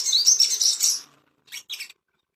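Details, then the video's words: Ashy tailorbird master song for bringing birds into breeding condition: a one-second burst of very high, rapid rising whistles, followed after a pause by two short sharp chirps. "PANCINGAN SOGON‼️BIAR CEPAT BIRAHI‼️AMPUH MASTERAN"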